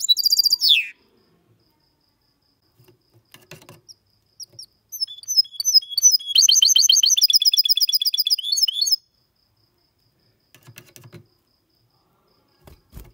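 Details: Mixto, a goldfinch and canary hybrid, gives a brief clean song in the copiaMalaga style, recorded in 2022. A burst of rapid high chirps lasts a few seconds, with scattered clicks and knocks before and after.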